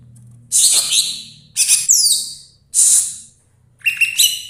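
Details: Kept greater green leafbird from Banyuwangi: loud harsh hissing bursts repeated about once a second, ending in a short set of clear whistled notes.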